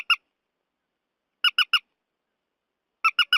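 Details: Lure recording of a purple swamphen for night netting, with harsh nasal squawks in groups of three, spaced roughly one and a half seconds apart, with clean silence between.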